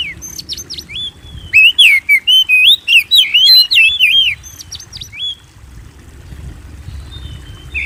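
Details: Song of a white-rumped shama, played to stimulate caged birds to sing: a long, fast medley of clear whistles and twisting slurs, with sharp high chips mixed in, fading to quiet murmur at the end.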